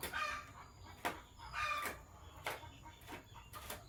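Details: Sky blue opaline and green opaline lovebirds chatter in the morning with harsh, squeaky chirps with buzzy overtones, broken by sharp clicks every second or so.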